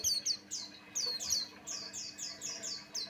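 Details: White-eye of the Buxtoni form giving lure song meant to set other white-eyes singing: a near-continuous string of loud, high, falling whistled notes, about three per second, over a low constant hum.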